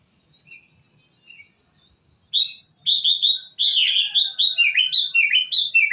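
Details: Kutilang emas (ruby-throated bulbul) from a tutoring recording for cage birds. After faint calls, loud warbling begins at two seconds: rapid, slurred, rising and falling whistled notes packed into a continuous chattering phrase.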